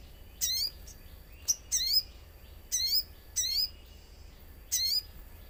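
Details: Common iora used as a lure to prompt other ioras to sing, set with nature sounds: five bursts of very high, thin chirping notes with harmonics, each under half a second, spaced about a second apart over a quiet background.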